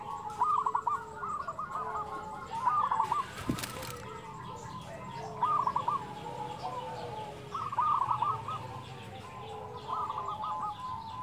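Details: Local Indonesian zebra dove singing in a fluting, chatty style. Several short cooing phrases rise and fall, each ending in rapid stuttered notes, with other doves cooing faintly behind and a sharp click midway.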